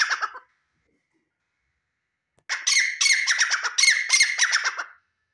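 A male grey francolin gives loud, harsh, squawking notes in a fast run of about four per second after a brief opening burst.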